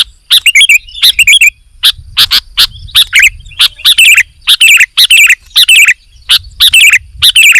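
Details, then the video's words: Sooty-headed bulbul singing vigorously, almost without pause: twittering phrases alternate with single sharp notes. "KUTILANG GACOR"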